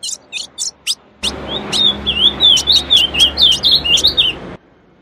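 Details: Female ultramarine grosbeak song used to stir males into singing. A few sharp high chips come first, then a fast warbling string of short, wavering notes over a steady low hum.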